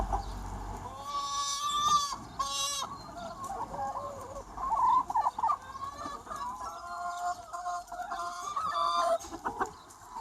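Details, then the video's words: Free-range chicken flock clucking on a sunny spring day, many birds calling at once in overlapping bursts of harsh, repeated clucks and squawks, with a noisy outdoor background. "Chicken Sounds 1 Hour - Chicken Sound Effect"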